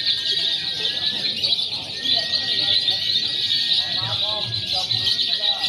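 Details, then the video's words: Many lovebirds chattering in a simulated contest of konslet, fighter and paud styles, meant to train birds for competition; unbroken high rattling trills, a few short stacked chirps near the end, faint low murmurs below. "SIMULASI LOMBA LOVEBIRD BEBAS AKSI (KONSLET, FIHGTER, PAUD)"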